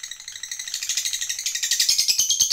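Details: Lovebird, fighter type, in its long ngekek trill used to provoke other lovebirds: a thin, buzzy rattle of very fast pulses that swells louder and sharper over the short stretch.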